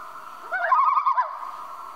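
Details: A common loon calling at night in summer northern lake country holds a clear, mid-pitched note that breaks into a quick wavering warble at its peak, then settles back to a steady held tone.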